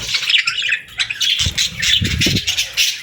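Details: Parakeets in the morning chatter in short bursts of high squeaky chirps and scratchy notes, broken by brief gaps and a few low fluttering thuds.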